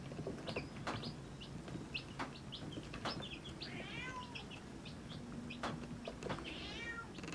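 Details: Baby chicks with their mother hen: many short, high peeps scattered throughout, with a few longer harmonic calls arcing down near the middle and end, over a low rumbling background.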